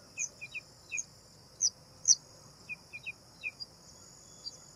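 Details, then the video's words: Bank myna, a flocking myna of the northern South Asian plains, giving short high chirps in small clusters, some sharp squeaky notes higher still, over a steady insect-like hiss. "Bank Myna (Acridotheres ginginianus) Myna Bird"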